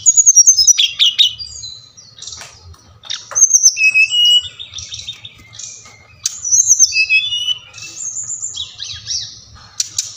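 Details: Bali-type brown-chested jungle flycatcher, played to get captive birds singing. It opens with a fast chattering burst, then gives scattered sharp notes, buzzy trills and clear whistled slurs in loose phrases over about ten seconds.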